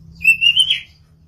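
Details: A long-tailed white-rumped shama (murai batu) kept for breeding gives a single clear, high whistled phrase, drawn out and rising slightly before ending in a brief richer burst, over a faint low hum.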